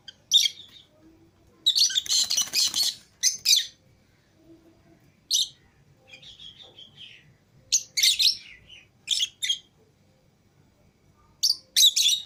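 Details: Green Fischer's and lutino lovebird pairs, freed from the cage alongside other lovebirds, let out loud shrill screeching bursts between quieter chattering, several calls in quick clusters over twelve seconds.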